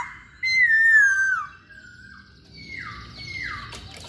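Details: Masked laughingthrush, known locally as Poksay Hongkong, singing actively. A loud, clear whistled note holds, then glides gently downward for about a second. After a pause come quieter slurred whistles dropping in pitch, with a few faint clicks.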